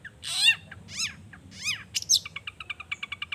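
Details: Sweeping, arched whistles from a Long-tailed shrike singing lure song to trigger other shrikes: three rising-falling slurred notes, a sharp high note, then a fast even series of short ticking chips.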